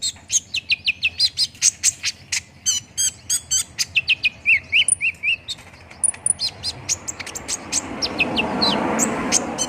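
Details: Olive-backed sunbird lure song, meant to make a bird start singing fast: quick, evenly spaced high ticks and short twittering slurs, about four a second, fading under a rising hiss of background noise near the end.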